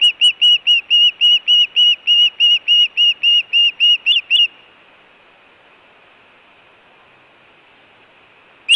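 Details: Osprey calling at its nest on a June day, alert or food calls: a long steady train of about twenty sharp whistled chirps over four seconds, then near silence with a single late note.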